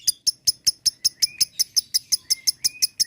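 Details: Lovebird ngekek used to draw out chattering in other lovebirds: evenly spaced, piercing chirps about five per second, with faint thin whistles between them.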